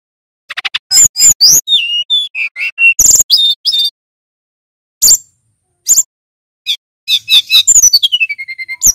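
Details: Male Brown-chested Jungle Flycatcher from Bali, singing loudly and clearly: a varied run of sharp high whistles, quick chirps and falling slurred notes, with short pauses between bursts.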